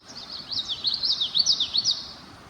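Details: Male Common Yellowthroat, arrived in early May, sings in late spring at a beaver-impounded brook in Manchester Cedar Swamp Preserve, New Hampshire: a rapid, rolling 'witchety-witchety' in quick three-note groups over faint hiss.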